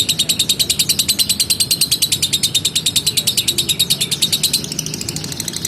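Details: Lovebird delivering a long, gacor ngekek trill, a fast machine-gun run of sharp high chirps at an even pace throughout, easing slightly toward the end, over a soft low background rumble.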